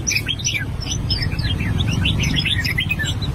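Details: Song practice from an albino red-whiskered bulbul: rapid chirpy whistles, each note a brief upward or downward slur, over a continuous low background hum.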